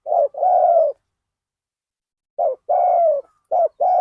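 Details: Spotted dove used as a decoy at Ban Nong Hin to lure wild birds, uttering softer, lower hollow coos in pairs, a short note followed by a long steady coo, with a quiet gap between phrases.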